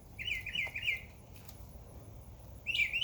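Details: Birds chirping in a backyard in summer: a quick run of bright, slurred chirps near the start, a pause, then another burst at the end, over faint low background hum.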